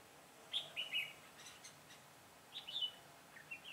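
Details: Decoy red-whiskered bulbul used to lure wild birds into a trap, 22 September 2017: two clusters of quick, clear, chirpy whistled notes a couple of seconds apart, with faint softer notes between.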